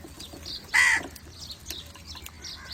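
A crow gives one loud, harsh, raspy caw lasting about a quarter second, with faint chirps and soft background noise around it.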